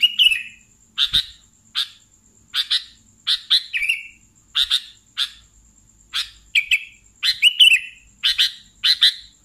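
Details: Sooty-headed bulbul singing vigorously, giving spaced, sharp chip notes, often in pairs, with occasional slurred downward whistles, about one burst per second. A thin constant high-pitched tone sounds throughout.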